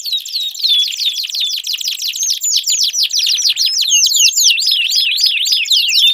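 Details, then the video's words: Canary song for coaxing a non-singing canary: steady run of rapid curved whistled notes, high and bright, rolling in repeated phrases about four per second, with a fainter trill behind. "Pancingan Ampuh Kenari Gacor Panjang, 4 Suara Burung Kenari Ampuh Untuk Pancingan Kenari Macet Bunyi"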